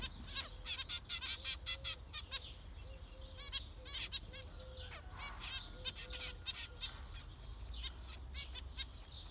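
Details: Zebra finches calling together in dense bursts of sharp, nasal beeping notes, frequent and irregular, with soft low murmuring notes between and a steady background hum.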